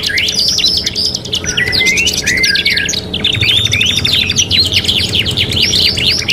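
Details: Canary (kenari) singing on a training recording for other songbirds: dense, continuous warbling with fast trills, twittering slides and rising whistled notes packed closely together, carried over a steady low background hum.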